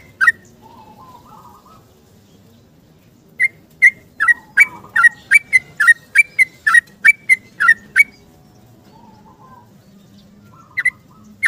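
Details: Yellow-vented bulbul in long, rapid 'ropel' song, calling in the morning to seek a companion, used as a lure. Two short bursts of bright, bubbly whistled notes, a quick chattering run in the middle with low warbles between; quiet background.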